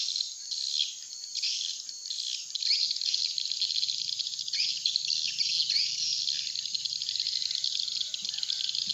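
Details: Attracting call for swiftlets, meant to draw a flock to a bird house: unbroken high twittering and chirping in a dense mass, with a faint low hum in the second half.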